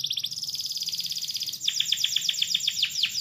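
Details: Long vigorous canary song, said to draw replies from other canaries: a fine, fast high trill for about a second and a half, then a run of rapid downward-swept chirps.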